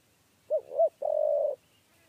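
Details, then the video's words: Single spotted dove coo of the 'kuk 3' type, recorded while trapping with a cage: a pair of quick mellow hoots leading into one longer, steady, faintly rattling note, clean background. "TEKUKUR KUK 3"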